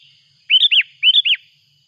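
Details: Noisy Sooty-headed bulbul calling as a rival approaches, used as a mountain lure sound: two clear, bright phrases, each of two or three arched, slurred whistles, separated by a short gap, with a faint steady high hum behind.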